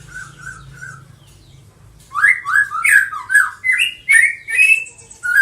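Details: A colony-bred juvenile white-rumped shama, six months old and eighth generation of the Medan type, gives three soft whistles after a pause. It then bursts into loud, rapid, slurred whistled notes repeated roughly twice a second.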